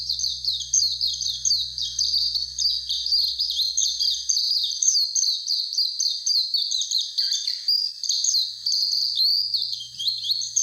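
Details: High warbling white-eye chatter by Mount Fuji: dense, fast strings of thin chirps and twittered trills that run on without a break. A low hum sounds underneath in the first seconds and again near the end.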